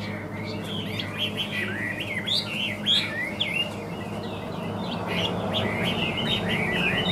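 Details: Chinese hwamei, described as singing well with an even voice, gives a rapid run of short, bright, slurred whistles, many notes per second, fairly soft against a constant background hum.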